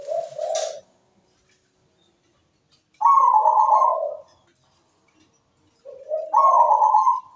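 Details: Zebra dove in a melodious song. A brief low bubbling coo is followed by two full phrases, each a higher vibrating trill sliding into a lower rolling coo, separated by silent pauses of about two seconds.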